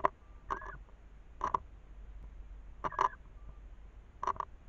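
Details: Eurasian scops owl at a nest, a female duetting with a male a few metres away at night, giving short, slightly hoarse mid-pitched notes every one to one and a half seconds, with faint thin whistles between.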